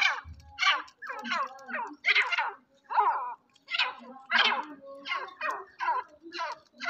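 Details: Black francolin of the Sindhi type, a fearless bird kept by a friend, calls in a long, steady string of coarse, grating bursts about twice a second, loud and close in a quiet room.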